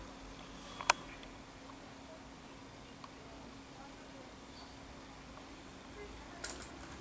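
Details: Quiet indoor hum with no animal voice, broken only by a couple of sharp clicks near the start and end.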